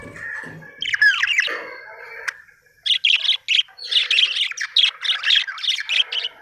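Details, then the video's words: Happy budgerigar chirping: a brief low murmur, then rapid bursts of bright, scratchy chirps and warbling notes that come in quick clusters and grow busier toward the end. "Happy budgie chirping sound"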